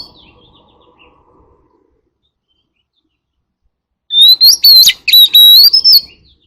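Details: Near silence for about four seconds, then an Oriental magpie-robin with a forest voice calls its flock in a burst of bright, clear whistles mixed with rapid chirped notes, which stops abruptly.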